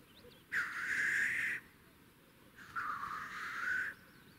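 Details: Two harsh, drawn-out hissing whooshes about a second long, separated by a short pause, from black grouse displaying at a lek in spring in Russia.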